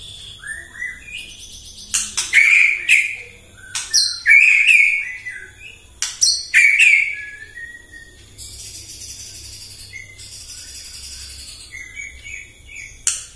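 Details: White-rumped shama in full morning song, played to provoke rival birds: a fast series of loud slurred whistles with sharp ticks between them, pausing for a softer high buzzy trill, then one final sharp note.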